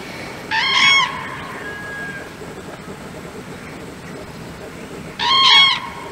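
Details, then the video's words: Common cranes at Czechowice-Dziedzice, Poland, in February 2024: two loud, rich, harmonic trumpeting bugle calls about four and a half seconds apart over a soft steady hiss. "Żurawie (Grus grus) The common crane"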